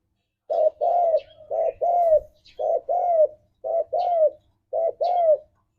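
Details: Spotted dove (tekukur) in energetic ngalas song used to stir caged doves into singing: rapid, steady series of paired low coos, a short note then a longer falling one, repeated about once per second with faint higher chirps behind.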